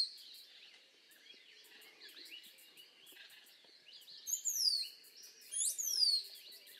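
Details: Busy mix of soft chips and twitters from other birds, then two loud, high, thin whistles from a rose-throated becard, each sliding steeply downward, about a second apart.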